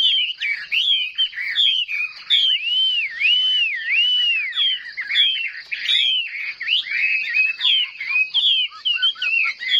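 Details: Competitive song of a caged Chinese hwamei, tail fanned and wings working: varied whistled phrases with long rolling looped notes in the middle, then rapid short upslurs.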